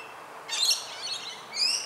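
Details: Eastern rosella (Platycercus eximius) in suburban Melbourne, Australia, gives two short, bright chirping calls about a second apart, the second a clear rising whistle, over faint background hiss.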